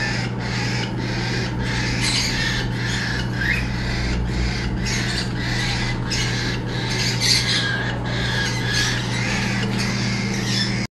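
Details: An angry galah gives harsh, broadband rasping squawks in rapid, near-continuous bursts, heard over a steady low electrical hum.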